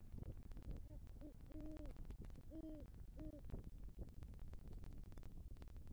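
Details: Male great horned owl at a Southwest Florida nest tree, November 2023, bringing rodent prey and calling for the female; a run of about five deep, soft, evenly spaced hoots over frequent crackling clicks and low rumble.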